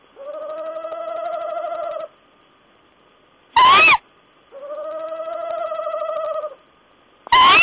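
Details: Owl calls dated 14 April 2010 alternating a long, quavering, mid-pitched trill with a short, loud, harsh rising note, the pattern occurring twice.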